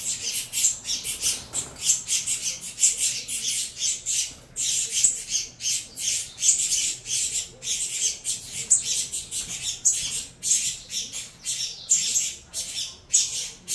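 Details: Saffron finch chicks being hand-fed in captivity, offspring of a Venezuela CMA x CVK 103 cross, keep up a frantic stream of short, harsh, high-pitched hissing squawks, densely repeated.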